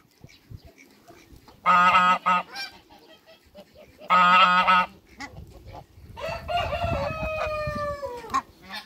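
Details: Two hybrid mallard ducks, a pair in a backyard, give two loud, harsh, nasal quacks about two seconds apart, then a longer drawn-out call sliding downward, over soft background rustling.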